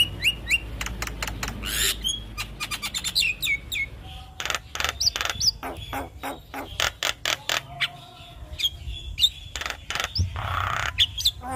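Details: Javan myna song as a master recording for young birds: fast clicking and rattling bursts, harsh broadband notes and short high whistles, repeated rapidly and irregularly over about eleven seconds.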